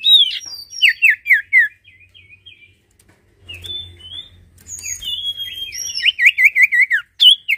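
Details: Sirtu in vigorous song: quick sequences of high, warbled whistles sliding up and down, a pause with faint low humming, then a fast stuttering series of rising-falling notes ending in a sharp high flourish.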